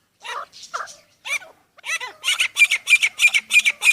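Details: Hand-raised chukar partridge in playful fighting with its owner's hands: a few rough notes, then a steady run of sharp, bright chuk notes, about three per second, growing louder.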